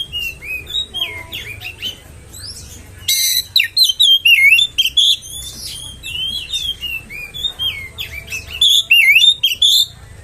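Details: Oriental magpie-robin song used to provoke rival magpie-robins: soft whistles at first, then a harsh rasp and loud rich phrases of looping whistles and quick trills. These come in irregular bursts, with a low hum below.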